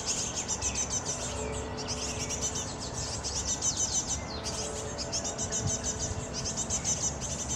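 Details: Great tit (Parus major) fledglings being fed by adults keep up a thin, high, rapid chittering of begging calls in dense bursts, over a low background rumble.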